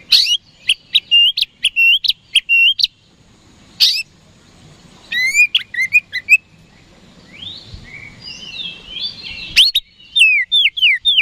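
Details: Oriental magpie-robin (kacer) kept for song contests, singing to provoke rivals into answering: loud bursts of sharp whistled notes, a pause, then fast sliding and warbled phrases ending in rapid repeated downward whistles.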